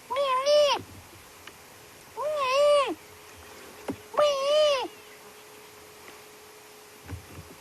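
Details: On an African sunset safari on May 12, a greater blue-eared glossy starling gives its call, which tells it apart from the Cape glossy starling: three nasal, wavering, rich-toned calls, each under a second long and about two seconds apart, over a faint hum.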